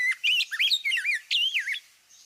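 Rose-breasted Grosbeak song: sweet, rich whistled phrases that rise and fall quickly and run together, about six notes in under two seconds, clear and unbuzzy.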